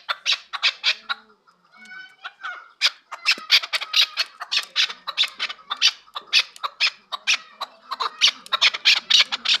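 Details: Chukar partridges kept for sale in Kabodiyon district: a loud, rhythmic run of harsh, broadband chuck notes repeated about three times a second, briefly broken near the start by a few thin whistled tones.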